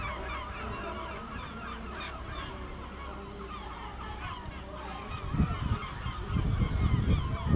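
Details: Gulls flying above a village in El Ortegal into nightfall: a constant tangle of mid-pitched yelps and mews from numerous birds, then gusty low rumble grows in the last seconds.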